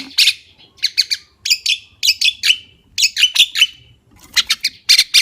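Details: Javan myna pouring out a varied, scratchy song of chattering bursts and short squeaky notes in quick clusters, with brief pauses between phrases.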